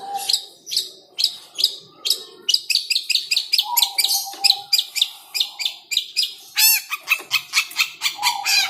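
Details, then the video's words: Caged long-tailed shrike (cendet), a fierce bird provoked by teasing, sings a fast run of harsh, high chattering notes at about two per second. A steady low whistled tone sounds in between. "talk to cendet birds for good singing"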